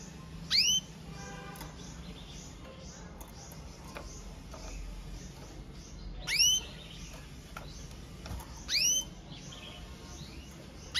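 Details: Red mosaic agate canary giving a powerful song: isolated, piercing downward-swept chirps, rich in harmonics, at irregular intervals. Soft, faint twitters and clicks fill the gaps over low background hiss.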